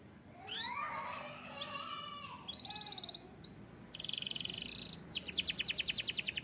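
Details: White canary song made of soft slurred notes and rising chirps, then a fast metallic trill, a dense buzzy roll, and finally a rapid pulsed rattle of sharp high notes.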